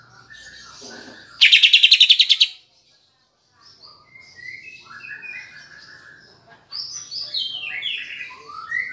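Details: Cucak ijo (Greater Green Leafbird), caged, song with kapas tembak phrases to provoke emotion; a loud harsh buzzy rattle of rapid pulses, brief silence, then a soft, varied warble rising into brighter descending whistles.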